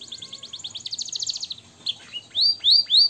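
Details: Canary song for cage-bird training with blackthroat and sanger phrasing: a fast, even rattle of tiny chirps, about eight per second, gives way to three loud, pure whistled upslurs spaced evenly apart.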